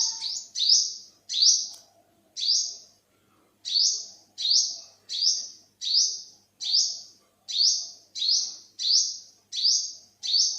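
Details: Olive-backed sunbird, 2021, Thailand: a long run of about fourteen shrill buzzy calls, each rising sharply then levelling, delivered quickly with one short gap near the start of the series.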